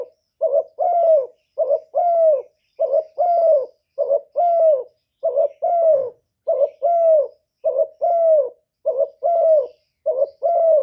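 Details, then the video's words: Long run of cooing from a decoy spotted dove luring wild birds: about nine regular two-part phrases, a short quivering note then a mellow falling coo, repeating roughly every one and a quarter seconds. "Chim Cu Gáy Mồi gáy gù cực chất, kích mồi kích bổi cực chuẩn"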